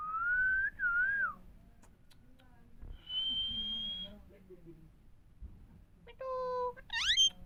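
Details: Indian parrot vocalising: a clear warbling whistle rising and dipping, a long steady high whistle, then a harsh stacked squawk and a quick rising call near the end, with faint indoor background noise.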